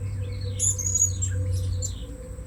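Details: Blue-crowned hanging parrot at a new luring spot, giving a short burst of shrill, thin squeaks and twittering notes over a low steady hum.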